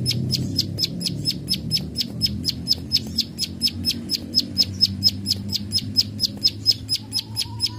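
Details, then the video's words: Plain prinia in a continuous "klik klik" bout, given as a tutor recording for training birds: sharp, dry clicks repeated steadily about four times a second throughout, over a low rumbling background hum. "Prenjak Sawah ( klik klik ) Gacor Full Tembakan"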